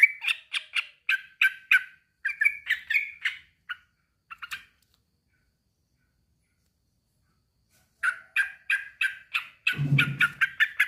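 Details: A male sooty-headed bulbul calls a rival with quick rows of chattering notes. Several seconds of silence follow, then more chatter over a low rumbling noise near the end.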